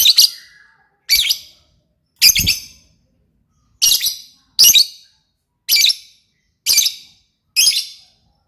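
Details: Lovebird singing in gacor fashion: eight harsh, high-pitched chirps, each clipped and separate, coming roughly once a second.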